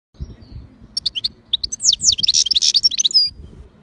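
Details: Kept European goldfinch, described as aggressive and active, singing a rapid high twittering song of thin sweeping notes that builds into a dense run of buzzy trills, with low rumbling background noise.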